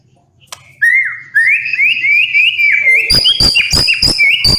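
A White-rumped Shama sings loud, rich whistled phrases that slur upward and repeat rapidly. They end in a burst of sharp, ringing notes.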